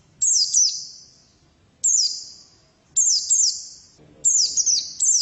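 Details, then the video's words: Female white-eye uttering short phrases of high, falling chirps, each followed by a long ringing echo, phrases spaced about one to one and a half seconds apart. "Pleci betina sangat bagus suaranya"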